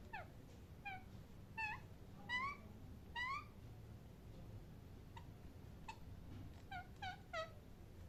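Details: Parrot chirping in quick irregular bursts, about a dozen brief upward-sliding bright notes, some paired closely, others isolated, against soft room hiss.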